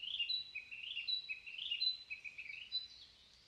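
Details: Narcissus flycatcher in a forest in the morning: a continuous high, warbling phrase of rolling, slurred notes with short bright whistles, steady quiet forest background.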